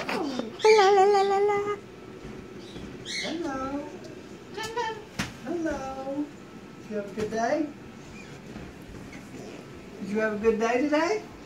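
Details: Young male pet umbrella cockatoo (Cacatua alba) waiting at a window indoors, giving excited, drawn-out, nasal, whining calls that rise and fall in bursts every second or two as his owner arrives home from work.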